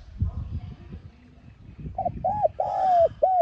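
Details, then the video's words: Spotted dove calling to prompt a decoy bird to sing. Low rumbling noise comes first, then one loud hollow phrase: a short note, an arched coo, a long sustained coo and a final arched coo. "Tiếng Cu Gáy Hạp BổI [ TGÁY GỌI ] Kích Bổi Nhanh Nổi"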